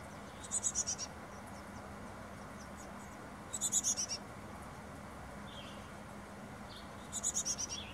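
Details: Carolina chickadee at its nest box on 24 May 2021, parent and hatched nestlings not yet fledged; short bursts of thin, very high, slightly falling notes about every three seconds over breeze hiss, wind chimes nearby.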